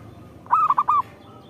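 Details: Local zebra dove song used to lure and prompt other zebra doves to sing: a single quick phrase of four rounded, rolling cooing notes lasting about half a second, over a quiet background.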